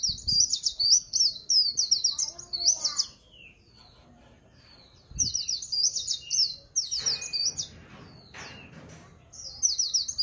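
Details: Swinhoe's white-eye delivering líu pha chòe song: bursts of fast, very high warbled twittering, each a second or two long, broken by short pauses, with a few soft knocks and clicks between phrases.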